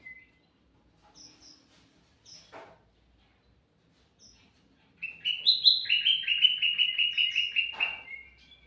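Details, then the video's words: Sooty-headed bulbul singing actively, a recording used to lure birds: a few short high notes and soft chirps, then a loud, fast rattling warble held for about three seconds, wavering between mid and high pitch. "suara burung kutilang mas gacor cocok buat pancingan"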